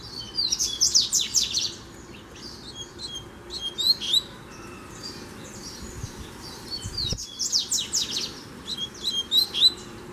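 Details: A loose, free-flying double-collared seedeater sings rapid bursts of high, buzzy chirps and trills, with phrases repeating every couple of seconds, as it comes in to confront a caged male.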